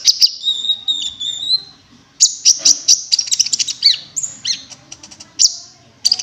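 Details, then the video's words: Cinereous tit call used as a lure: a sustained high whistled trill, then bursts of rapid sharp notes mixed with ringing whistles, dense and continuous. "pancing bunyi gelatik batu wingko"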